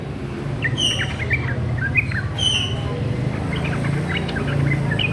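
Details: Sooty-headed bulbul youngster rehearsing its song: sparse, uneven chirps and a couple of clearer whistled notes, separated by pauses, over a persistent deep rumbling background.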